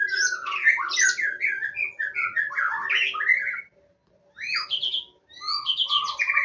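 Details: Wild white-rumped shama in Indonesia singing a rich, varied song of quick whistled and slurred notes, rising and falling phrases, a short pause near four seconds before singing resumes; faint steady low hum underneath.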